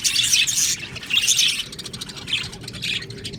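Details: Aviary colony of Australian budgies chirping: two loud bursts of shrill, grating twitter, followed by softer, spaced chirps.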